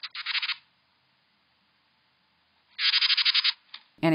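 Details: A Carolina wren of the eastern United States gives its loud, repeated rasping chattering call: two harsh, rapid chatters, each under a second and two seconds apart. A man's voice starts at the end.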